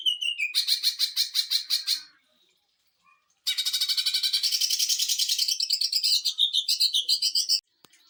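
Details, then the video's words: Greater green leafbird in fast sewing-machine style song for training and provoking other birds: a rapid rattling trill, a pause, then a long dense burst of quick repeated notes ending in wavering whistles. "CUCAK IJO TEMBAKAN MESIN JAHIT UNTUK MASTERAN DAN PANCING EMOSI"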